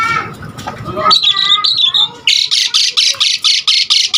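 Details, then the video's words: Asian pied starling in full song, used as a lure and tutor for other starlings: harsh squawking phrases and whistled notes, then a fast run of raspy buzzy notes repeated about twice a second. "Jalak Suren GACOR Full Isian Mudah Untuk Pancingan Masteran Semua Burung Jalak"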